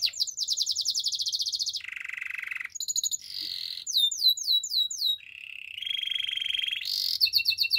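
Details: Canary song of rapidly changing tours: a high fast trill, a low buzzy roll, clipped chips, looping swept whistles, and steady rolling trills at several pitches, in a clean, quiet setting.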